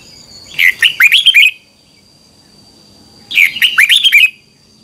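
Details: Morning song of a red-whiskered bulbul in a double twisting voice, used as a lure for training birds: two rich warbled phrases of five or six looping whistles each, about three seconds apart, with a faint high hum.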